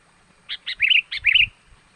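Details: Sooty-headed bulbul lure call for attracting wild birds: two quick chirps followed by two fluid, rising-and-falling warbled phrases, with faint rustling underneath.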